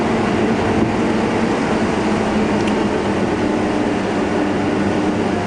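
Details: Loud, constant engine drone from a vehicle on a morning safari drive at Djuma Game Reserve, with no animal sounds.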